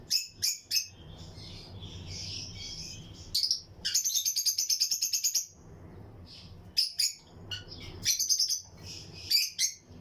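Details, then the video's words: In a colony aviary for breeding, lutino lovebirds chirp and chatter: scattered single high chips, then a rapid run of shrill notes, a quiet gap, and more clustered chirping, with a low hum underneath. "Lutino Lovebirds Breeding Colony Cage - Chirping and Relaxing Sound"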